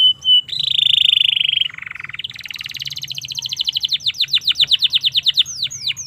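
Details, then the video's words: Canary song used as a tutor recording, beginning with a loud steady buzzy trill, shifting to a lower churr, then building into a long accelerating series of sharp whistled notes ending in sweeping slurs; low background hum. "suara burung kenari cocok untuk masteran maupun pancingan kenari paud"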